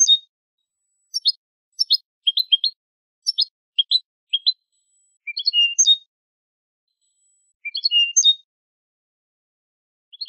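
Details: Song of a Spanish European goldfinch, used for training young birds. A string of short, crisp chirps runs for several seconds, then two longer phrases of rising twitters that end in ringing whistles, with one more note at the end.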